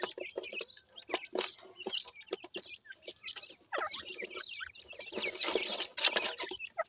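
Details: Pheasant chicks eating new food fill the air with rapid high peeps and chirps from several birds, mixed with scratchy pecking and rustling.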